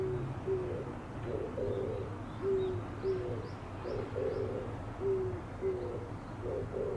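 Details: Oriental turtle dove, chest inflating as it sings: rhythmic phrases of low, muffled coos alternating short and drawn-out notes, repeated about every two to three seconds, with faint high twittering from other birds.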